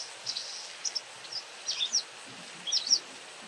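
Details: White wagtail calling often: sparse high chirps in short clusters, some quick doubled notes, spaced irregularly over a steady background hiss.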